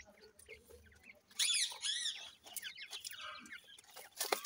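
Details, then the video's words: Partridge chicks, Dhakni and Irani teetar, play and fight together. They give shrill, high, rapidly repeated chirps in dense bursts, then descending squeaky peeps and a few sharp taps near the end. "Dhakni Vs Irani Teetar chicks ki Ladai,partridge chicks playing"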